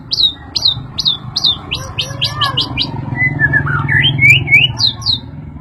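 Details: Agitated white-rumped shama responding to a played sound: a string of sharp, high, repeated whistled notes gives way to lower, varied warbling phrases, with a constant low hum behind.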